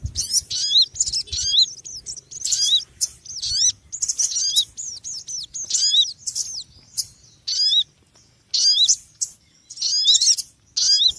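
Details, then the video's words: Small bird chattering noisily in a long string of sharp, high chirp bursts, notes sweeping downward, with uneven pauses and quiet low background hum. "Suara Burung Kecil Ribut"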